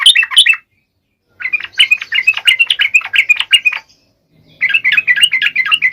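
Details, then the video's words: Lively song of a sooty-headed bulbul, meant to coax lazy bulbuls into singing: quick, bubbly runs of chirpy warbles, roughly three notes per second, come in three bursts separated by pauses. "SUARA KICAU TRUCUK GACOR AMPUH BUAT PANCINGAN TRUCUK MALES"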